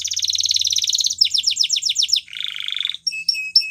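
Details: Spanish Timbrado canary song opening with a dense rapid trill, then a string of swooping downslurred notes, a lower buzzy roll, and a few short whistled notes.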